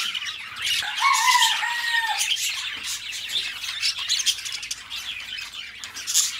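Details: Two pet budgies chatter in rapid scratchy warbles, early on a smooth descending whistle stands out, followed by fast chirps and squawks.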